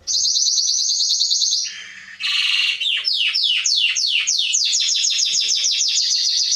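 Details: Atlantic canary song for training young birds: a steady high rolling trill, a lower buzzy burst, then a series of sharp falling swept notes speeding up into a rapid chatter.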